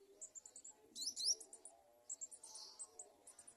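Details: Nestling Garden sunbirds being fed at the nest by adults; rapid series of very high, thin chirps in short trills, with a louder excited squeaky flurry early on, then more clustered twittering, over a faint low hum.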